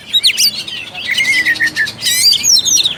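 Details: Oriental magpie-robin song used as a lure to provoke a lazy, reluctant bird into singing and fighting spirit: loud, rich, rapid mix of sharp whistles, buzzy trills and chattering notes in quick varied bursts.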